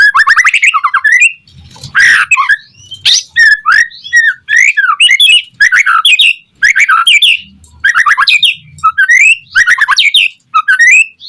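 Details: White-rumped shama song used to prompt other shamas: loud rising whistled notes repeated in quick rhythmic series, interspersed with harsh churring bursts.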